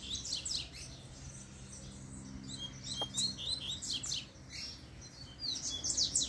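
A double-collared seedeater sings a fast, high run of sharp chirps and twittering notes with hardly a pause, over a faint low hum.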